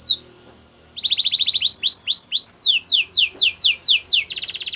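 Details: Canary training song: after a quiet start, a rapid stuttering trill, rising whistled notes, a series of falling sweeps and a closing buzzy roll.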